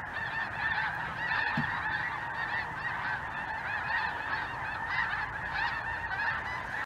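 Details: A large flock of snow geese, with some Greater white-fronted geese and possibly a Ross's goose or two, fills the sky over southern Indiana on a chilly afternoon, 23 Jan 2023, calling nonstop in a dense wall of high, nasal honks and yelps.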